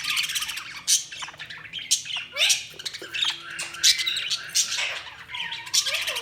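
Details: Budgerigar chirping, a steady mix of scratchy high squawks, quick chirps and a few thin level whistles, irregular and overlapping like a small flock chattering.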